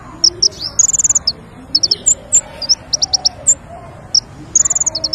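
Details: Lure song of the king konin for trapping birds: scattered high, piercing chirps, brief clusters of three or four notes and short ringing trills, set against a soft steady murmur of background noise.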